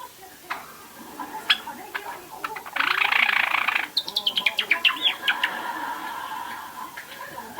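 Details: Young pet Java sparrow about two and a half months old practising its song, subsong recorded through a handheld recorder: scattered ticks and clicks, a dense buzzy rasp, then rapid clicking notes and a soft warbled trill, with steady hiss.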